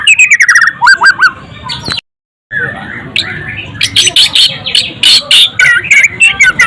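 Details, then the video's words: White-rumped shama (murai batu) singing loud, clear whistles: a falling series of high notes, then a brief silence, then rapid sharp bursts and chattering phrases. Some background hum. "golden voiced bird murai batu"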